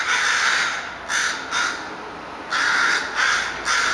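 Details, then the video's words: Crows calling in a drawn-out serenade, giving harsh, rasping caws in short bursts: two quick caws, a pause, then three more in close succession. "Crow Serenade"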